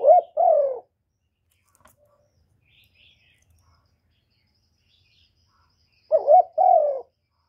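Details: Spotted dove coos used as a lure for wild birds: one two-note coo phrase at the start and another near the end, soft and low, with a long quiet stretch between them.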